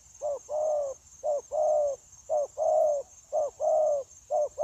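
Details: Trapping decoy spotted dove on 9 January 2024, cooing tirelessly in a linked style: four to five short-long hoot pairs at roughly one-second intervals, low and mellow, with steady high-frequency buzzing behind.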